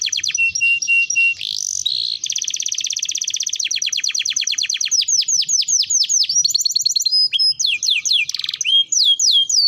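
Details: Canary training song: a continuous, loud, high-pitched sequence of rapid trills, buzzy rolls and repeated downward-sweeping notes, changing tempo and phrase every second or two, with almost no background noise.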